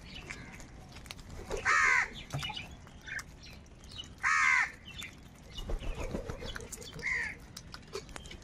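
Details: Crows fighting for food outdoors: two loud, harsh, buzzy caws about 2.5 seconds apart, with fainter distant caws between and after them, over steady background rumble.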